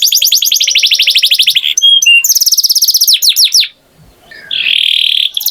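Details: A canary sings a fast rolling trill of repeated notes, then short whistles and a second trill, a brief quiet break, and a steady buzzy tone at the end.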